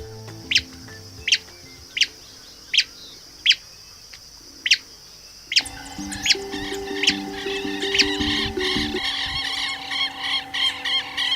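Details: Many-colored rush-tyrant (Tachuris rubrigastra), elusive and hiding among reeds at the Batuco lagoon wetland sanctuary, Chile, gives short, high, thin ticking song notes about every three-quarters of a second, with background music and denser bird chatter.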